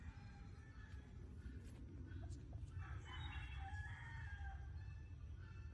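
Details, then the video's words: Fighting rooster kept on a rural farm gives a single drawn-out, harmonic crow midway through. It is partly masked by loud, constant low-pitched rumble and hiss. "Cock Fighting Roosters Crowing Compilation!"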